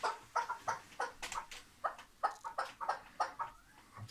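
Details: Chukar partridge kept tethered in Şırnak, Turkey: softer, clipped clucking notes repeated roughly three times a second in loose bursts, fairly distant-sounding against quiet background noise.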